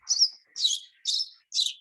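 A house sparrow gives four harsh, high chirps, about one every half second, each a scratchy 'cheep' with nothing else heard.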